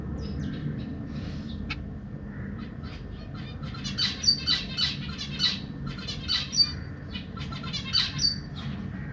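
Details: Zebra finches in a big cage, 17 September 2023, parents feeding newly hatched and juvenile young: scattered chirps build into busy bursts of short, high, buzzy calls about four per second, with loudness pulses, over low hum.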